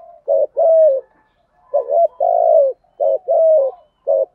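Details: Spotted dove decoy cooing in the Thổ voice, Thúc Gù style, used to lure wild doves; repeated pairs of a brief hooked note and a longer descending coo, about one phrase per 1.3 seconds.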